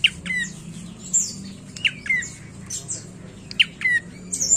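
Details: Prinia, local name prenjak coki, delivering clear paired notes three times: an abrupt high chip dropping into a downward-sliding whistle, accompanied by frequent high-pitched chirping from other birds and faint low humming.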